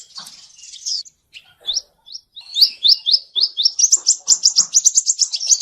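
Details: Song of a male seven-colour sunbird, played as a trapping lure: soft twitter at first, then isolated sharp chips, building into a fast, high, ringing trill of quick upswept notes that runs to the end.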